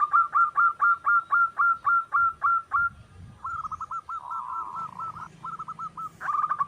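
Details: Singing wild zebra dove, recorded as a lure: a steady string of about twelve loud, evenly spaced clipped coos, then softer rolling purred trills and a final rapid burst of notes.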